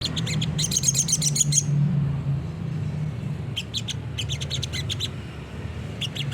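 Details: Olive-backed sunbird in lively 'gacor nembak' song, used as a master recording to make other birds answer: rapid bursts of high, sharp chirps in two clusters separated by a pause, over a steady low hum.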